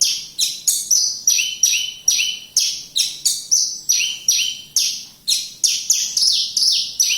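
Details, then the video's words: Javan bush lark singing near Kediri: a dense, energetic run of bright descending notes, nearly three per second, loud and close against a quiet background. "Branjagan gacor"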